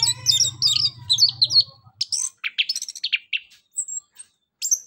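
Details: An orange-headed thrush, used as a lure to prompt quiet birds to sing, sings rapid, varied high whistles and chattering phrases, bursts every fraction of a second, over a low hum at the start.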